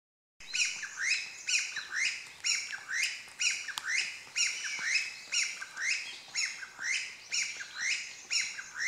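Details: A Chinese bamboo partridge, unseen, recorded 20 May 2012 near asphalt, gives loud, harsh, ringing phrases, repeated about once a second in a steady series, with nothing else clearly heard.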